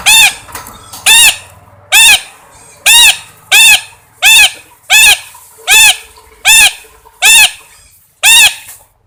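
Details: A parrot calls steadily, with ten raucous, harmonic-rich squawks roughly one every 0.8 seconds. Each is short and slightly arched in pitch, over a low background hum.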